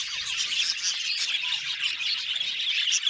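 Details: Budgerigar colony in an aviary giving rough squawky chatter and high chirps layered together, with a few short falling whistles and a louder squeak near the end.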